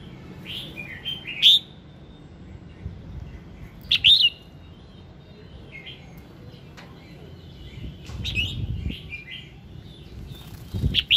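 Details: Bulbul morning song, red-whiskered, meant to prompt singing: sharp bright whistled phrases at roughly two-and-a-half-second gaps, softer twittering between them, and a low rumble of background noise.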